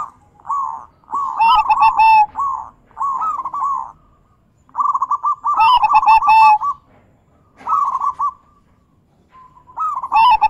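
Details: Zebra dove song meant to prompt silent doves to sing, in big, bekur and crystal voice variations: phrases of rolling mid-pitched coos separated by pauses, with sharp bright chirps from another bird bursting in three times.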